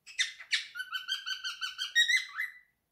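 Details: Indoor male cockatiel, three years old, sings his favourite song: two sharp opening chirps followed by an even series of pulsed whistled notes, climbing to a higher whistle near the end.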